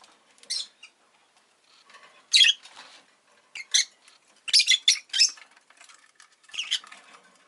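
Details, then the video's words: Pet rosy-faced lovebird calling indoors: loud, harsh, high-pitched squawking chirps in short bursts, some doubled or tripled in quick succession, separated by brief pauses and faint rustling. "Lovebird Chirping Sounds"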